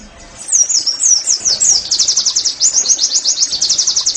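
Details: Oriental white-eye singing, used to prompt caged birds into song: a few high downslurred whistles lead into a long fast run of sharp repeated chirping notes, steady and continuous.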